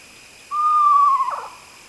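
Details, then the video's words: Screech owl (Megascops) gives one clear, mid-pitched whistled note, held nearly level for under a second, then wavering briefly as it breaks off; quiet background. "Sounds of the Megascops"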